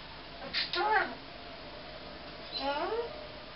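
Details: Indoor pet male eclectus parrot mimicking human speech, which he reportedly strung into "Tickle & Kiss" on his own; two clear word-like utterances with gliding, voice-like tones, separated by about a second and a half of quiet.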